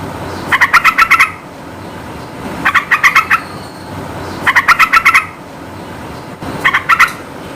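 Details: Lively yellow-vented bulbul song used to provoke quiet birds to reply: four rapid chattering bursts of about six sharp notes, roughly every two seconds, with constant low hiss behind.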